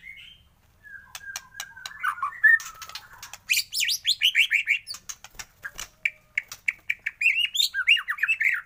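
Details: In a morning recording used to spur shamas into song, a white-rumped shama gives drawn-out whistles, then fast strings of short chirping notes repeated several times a second, with scattered clicks.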